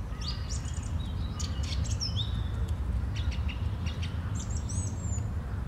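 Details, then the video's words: Song thrush song on a Sunday morning in April 2021, a run of bright, sharp whistled phrases, some slurred downward and some rapid ticking notes, over constant low background noise. "Śpiew drozda śpiewaka w niedzielny poranek"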